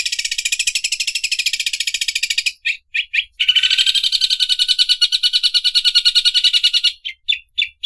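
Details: Greater green leafbird imitating an overlock sewing machine: fast, buzzy, machine-like pulses running in long bursts, broken by a brief gap and short chopped notes, then a lower-pitched rattling stretch before clipped high notes.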